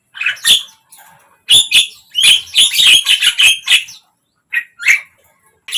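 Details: Javan myna song to make a silent bird open its beak: mixed squeaky rising notes and harsh chattering bursts, an energetic run in the middle, then a few isolated squeaks.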